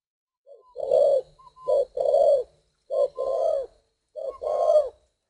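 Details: Spotted dove from northern Vietnam, bred as stock, cooing in a quiet setting: four low, hollow phrases, each a short soft note followed by a longer rolling coo, spaced about a second apart.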